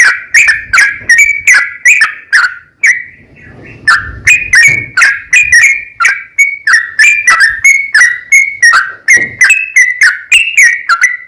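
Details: Sooty-headed bulbul singing actively, recorded as a lure to prompt other bulbuls to sing and answer. Steady run of loud, short whistled notes, slightly varying in pitch, with one quieter gap near the third second.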